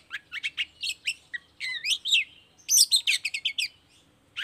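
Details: Long-tailed shrike song used as a lure recording to make other shrikes answer and sing: a rapid, varied run of sharp chirps, buzzy slurred notes and whistled phrases in quick bursts, with brief pauses between groups.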